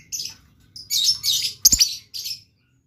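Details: Blue lovebird in lively song: a run of shrill, buzzy high chirps, with several fused into longer rasping bursts and a sharp click-like note near the end, over a low background hum.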